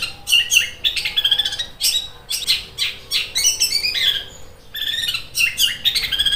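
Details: Long-tailed shrike (Lanius schach), likely a kept songbird, in fighting mood gives an aggressive fighting song, a dense, rapid chatter of sharp, sparrow-like chirps in quick bursts likened to a sewing machine, over a faint steady hum.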